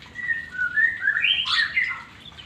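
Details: White-rumped shama (murai batu) in beginner-level exercise meant to build long-breathed singing: a run of clear slurred whistles that climb into a louder, richer warbled burst midway, then ease into softer falling notes.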